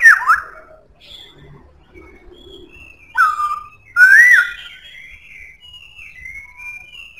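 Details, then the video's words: Strong-voiced black-throated laughingthrush: a quick falling whistle, quiet gap with faint high notes, then a clear down-slurred whistle followed by a louder rising, warbling whistle and thin trailing notes. "Khướu bạc má hót cực hay,giọng khỏe"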